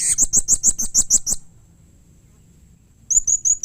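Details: Nine rapid, shrill chirps in a steady run from a blue-crowned hanging parrot, a pause, then four thinner high notes, a call favoured for prompting other hanging parrots to call back.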